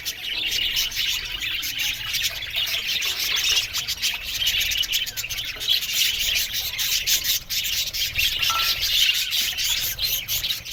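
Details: High, scratchy warbling and chirping from many budgerigars housed in an aviary, dense and continuous across the whole stretch.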